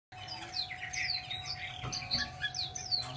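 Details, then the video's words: Chinese hwamei singing a rapid run of bright whistled notes, many sweeping downward, with scratchy chatter between, over a steady low electrical hum and a faint rumble. "chim hạo mi"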